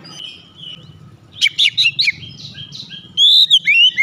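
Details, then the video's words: Oriental magpie-robin singing gacor ngeplong with beak opened wide: a faint whistle, a quick series of sharp chirping notes, softer buzzy trills, then a loud ringing whistled phrase, with a low background hum. "Kacer langsung gacor ngeplong buka paruh dengan lebar"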